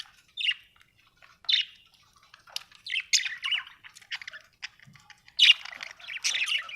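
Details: Happy budgerigar giving separate high squeaky chirps and scratchy twitters, spaced irregularly at first, then coming quicker and louder into a short chattering run toward the end.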